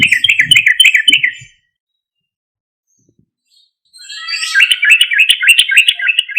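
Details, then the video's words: Sooty-headed bulbul song used as a lure to draw a response from other bulbuls: bursts of loud, bubbly whistled notes repeated rapidly, a phrase at the start and a longer run after a pause of about two seconds. "Suara Trucuk Gacor Keras MUJARAB untuk PANCINGAN trucuk Bahan atau Macet agar Langsung Respon"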